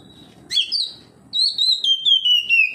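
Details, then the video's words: Oriental magpie-robin, responding to another magpie-robin, gives a short sharp note, then a long bright whistle that wavers and slides slowly downward. "KACER NGEPLONG KACER LAIN LANGSUNG RESPON NGEPLONG BONGKAR ISIAN"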